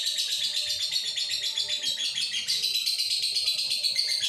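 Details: Male lovebird in breeding condition, recorded on a Redmi 9C phone, delivers a continuous stream of piercing, rapidly repeated chirps, roughly four a second, with a faint low background hum.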